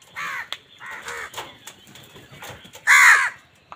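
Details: Crows calling while fighting for food: a series of harsh, nasal caws in short bursts, the loudest and longest caw coming near the end, with soft rustling between calls.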